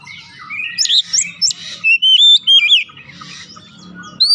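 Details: Oriental magpie-robin song used as a lure to start the bird singing. Scattered chirps over a hiss lead into a run of loud, sweet whistled phrases, rising and falling, before fading to background noise.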